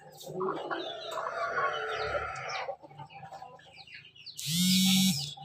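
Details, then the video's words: Rooster, a pelung and bangkok chicken cross kept for breeding in Yogyakarta, crowing: one wavering, harmonic-rich crow of about two and a half seconds. After a short pause, a loud, harsh buzzing burst closes the recording. "persilangan ayam pelung bangkok ketawa berkokok"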